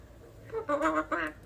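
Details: Pet parrot talking: a brief, voice-like phrase of two or three nasal, harmonic syllables with a short rising lead-in, lasting about a second in an otherwise quiet room.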